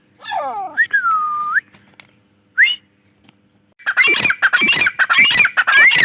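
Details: Teetar, the grey francolin, with a few separate whistled notes, one long and level, then a loud run of harsh, rapidly repeated rising notes filling the last two seconds.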